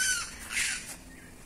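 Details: Magpie-jay at an archaeological site near Ciudad Arce, El Salvador, possibly frightened by people nearby, gives a harsh, noisy screech in two bursts, fading out after one second.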